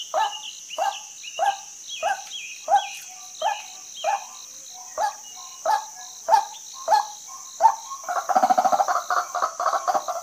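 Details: Female white-breasted waterhen repeating short rough notes for about eight seconds, then breaking into a rapid stuttering chatter. A persistent insect drone and faint whistling from other birds run underneath.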